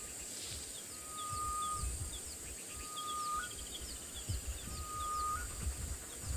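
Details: A pair of Grey-headed Bushshrikes in a South African game reserve on an early December morning give long, level, mournful whistles, each held about a second and repeated every two seconds, over steady insect hiss and soft chirps.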